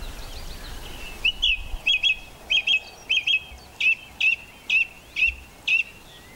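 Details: A song thrush singing on Castlemorton Common near Malvern, England, in May 2021, repeats one short, bright, clear note about ten times, roughly twice a second, over a faint low rumble.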